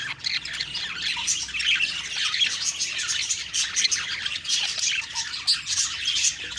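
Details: Morning budgies in a busy chorus of overlapping chirps and scratchy warbles, the chatter swelling and easing in waves.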